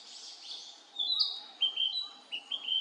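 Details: Male Narcissus flycatcher giving a brief burst of song: a high whistled note followed by a run of short, repeated slurred whistles, with faint hiss and another high wash of sound at the start.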